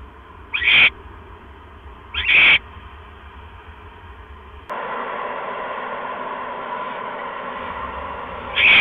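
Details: Barn owl nest at night, 12 October 2015, as a male brings another mouse: two harsh hissing screeches about a second and a half apart, then a steady band of static noise, with a third screech starting at the end.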